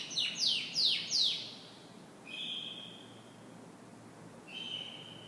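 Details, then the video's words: Canary morning song opening with four loud, sharply falling chirps, followed by a soft sustained trill and another trilled phrase after a pause. "Canary Morning Singing"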